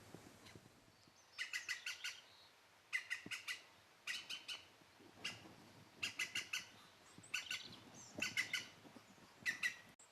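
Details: European green woodpecker, the largest British woodpecker, giving loud laughing series of about five to seven sharp, ringing notes, each burst lasting under a second and repeated roughly every one to two seconds.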